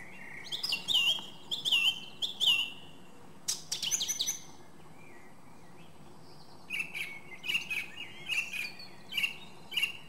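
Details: Singing song thrush (Turdus philomelos): a fluty, downslurred phrase repeated three times, then scratchy high notes, a pause, and a run of rapid repeated chirping phrases, with little other sound.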